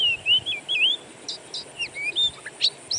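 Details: Wild birdsong used as an Oriental magpie-robin lure to make a kept bird sing: clear wavering whistles, then short upslurred and downslurred notes and a sharp high chirp, separated by short gaps.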